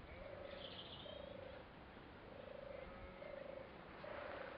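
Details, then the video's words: A wild European turtle dove at Otmoor RSPB gives a soft, low, purring coo, with rolled phrases repeated about once a second. A faint higher bird call sounds in the background over steady hiss. "Turtle Dove"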